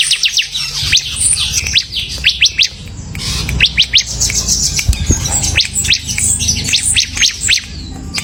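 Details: Bar-winged prinia, or ciblek, in semi gacor song: clusters of quick high chirps and short trilled runs, separated by brief pauses, with low background rumble.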